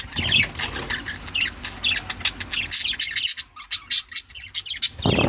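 Budgerigars trade quick, high, scratchy chirps and squeaks back and forth, with bursts of wing flutter.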